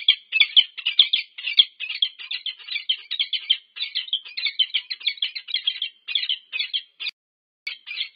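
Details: A peregrine falcon pair meets at the nest on the UC Berkeley nest camera, USA, 25 August 2023. They give a fast, continuous chatter of harsh, high notes, several per second, with one brief gap near the end.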